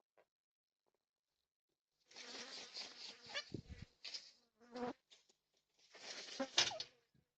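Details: Yellow-tailed black cockatoos, four together at a backyard bird feeder in NSW, Australia, recorded by a security camera on 20 March 2026. Overlapping rough, wailing calls come in bursts over several seconds, mixed with a few low thuds and knocks.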